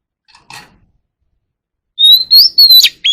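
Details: After a faint soft sound and a quiet gap, a white-rumped shama calling its flock in a wild forest voice gives loud rising whistles and rapid chipping notes.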